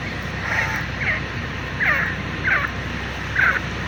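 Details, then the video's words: Teetar, the grey partridge, calling five loud, rasping notes in quick succession, each a short bright burst, against a constant low hum. "teetar ki boli | teetar ki awaaz | francolin voice | Partridge sound"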